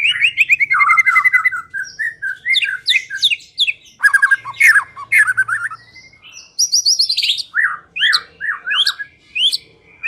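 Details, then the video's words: White-rumped shama lure song for coaxing a quiet bird into singing. Rapid ringing whistled notes in fast series, sharp chips and slurred phrases, with brief pauses between bursts across ten seconds. "Pikat Murai Batu Dengan PANCINGAN GACOR Ini Di Jamin Macet Langsung Bunyi"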